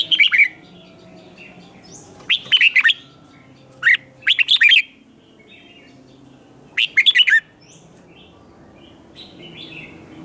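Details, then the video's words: Competition singing by a red-whiskered bulbul, aimed at provoking newly caught bulbuls. Four short bursts of bright, jumbled whistles are spread across about ten seconds, with quiet pauses between them. "Kích chào mào hót đấu hay nhất,bổi nghe là hót theo"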